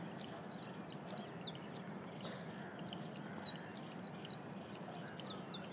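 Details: An ashy prinia (Prinia socialis) calls loudly in lakeside reed beds at Powai Lake, Mumbai, on 1 October 2022, giving quick bursts of high, sharp, chirpy notes in short repeated phrases over a steady high insect-like hiss and a low rumble.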